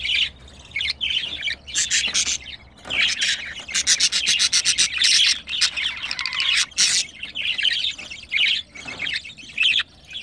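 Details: Female budgerigar in heat with her mate during mating: dense, buzzy, fast-pulsed chatter, nearly continuous, with brief gaps and a few sharp loud notes.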